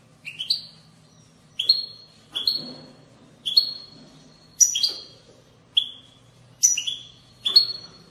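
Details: European goldfinch in the bitbita style, played to stimulate goldfinches to sing: short bright twittering bursts, each note a quick high sweep with a falling tail, repeated roughly every second over a faint low hum.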